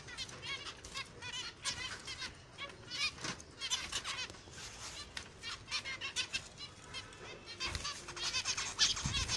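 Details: Aviary finches kept as pets chattering continuously, dense overlapping high chirps and short twitters in rapid bursts, several birds calling at once with occasional louder peaks.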